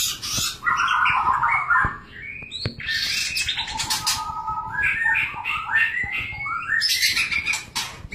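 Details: White-rumped shama during mating, giving varied rich whistles and harsh rasping bursts, with scattered clicks throughout.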